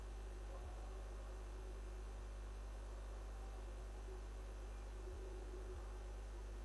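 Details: Only a constant electrical hum and faint background hiss are heard, with a few soft knocks.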